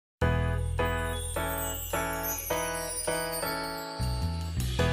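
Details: Bright jingling bell music, with chiming tones struck roughly twice a second over a low sustained accompaniment. No animal voice is heard.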